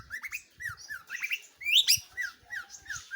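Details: Long-tailed shrike singing a lively series of short, clear whistled notes, many sliding downward, with brief pauses between phrases and a few higher squeaky notes.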